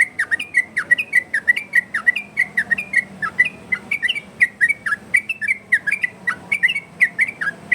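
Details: Yellow-vented bulbul in a loud, clear 'ropel' variation song for luring and tutoring other bulbuls: continuous rapid bubbling whistles, each note with a sharp click, steady rhythm throughout.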